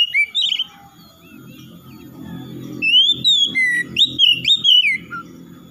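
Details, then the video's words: Kacer, or oriental magpie-robin, giving varied whistled notes, a harsh chatter, and then a rising whistle with quick slurred notes. A steady low humming noise runs throughout. "SEKALI MENDENGAR SECEPATNYA KACER MALAS BUNYI RESPON IKUTAN GACOR"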